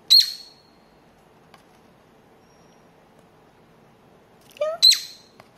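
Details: Pet cockatiel at play, head pushed into a paper tube for peek-a-boo; a sharp, high chirp, a long silence, then a low rising sweep leading into a second bright chirp.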